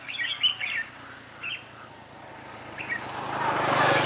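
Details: Decoy red-whiskered bulbul used to trap wild birds, 11 December 2016; a few quick warbled phrases at the start, then rising broadband noise like a passing vehicle drowns the scene.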